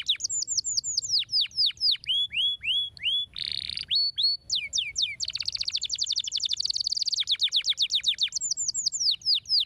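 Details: Singing canary whose song is used to encourage silent canaries: repeated bright downward-slurred whistles, a brief harsh rasp, then a long rapid trill before more falling whistles.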